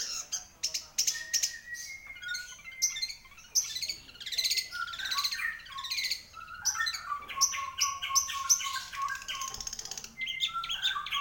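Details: Long-tailed shrike in lively song: a continuous, varied medley of clear whistles, slurred notes, harsh chattering and quick chirps, with changing pitch throughout.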